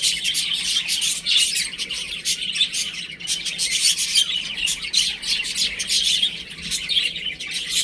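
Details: A group of young chicks playing at home chirps busily, producing high, squeaky peeps in close, overlapping succession that barely pause.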